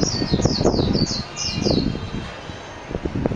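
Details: Japanese white-eye (mejiro) singing a quick string of about eight high, thin, downslurred chirps in the first two seconds, over steady low rumbling background noise.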